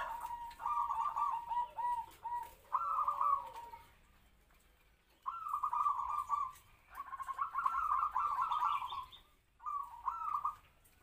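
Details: Captive-bred local zebra dove, a medium-voiced decoy meant to draw big-voiced wild doves. It sings several stuttering trilled kwor kwor phrases, separated by pauses of one to two seconds.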